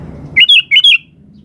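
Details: Sooty-headed bulbul in lively, full song: four quick, bubbly whistled notes in two close pairs, rising then dipping, lasting under a second against a faint low hum.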